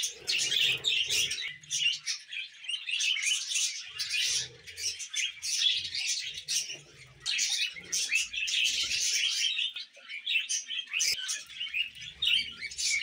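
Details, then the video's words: Budgerigars kept as pets give a continuous scratchy warble of chirps and clicks, pulsing in bursts every second or two, with faint low thumps and rustles in the background. "Budgies Moments Collection"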